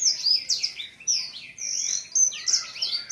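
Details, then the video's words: Seven-month-old caged male blacksang, voice still immature, spreading its wings at the sight of a female; quick bright chirps and slurred whistles in short bursts, separated by brief pauses, all high-pitched. "Blacksang gacor buka sayap"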